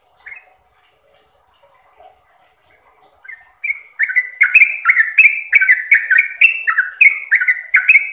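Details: Trucuk, the sooty-headed bulbul, singing for caged-bird training: a few scattered faint chirps at first, then from about four seconds a loud rapid series of short falling whistled notes, roughly three per second.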